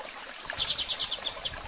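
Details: Female double-collared seedeater calling while soliciting mating: a quick run of about eight high, sharp chirps spaced roughly a tenth of a second apart, following a brief quiet start.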